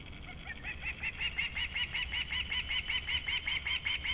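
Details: Osprey in Latvia, recorded July 28, 2012, calling from the background: rapid, evenly spaced whistled notes, roughly two and a half each second and growing slightly louder, over a low rumble.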